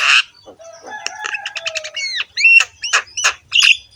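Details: Jalak kebo (Javan myna) gacor song with coarse voice: a loud harsh opening note, a low drawn whistle under a run of clicks, then rising whistled slurs and rasping squawks.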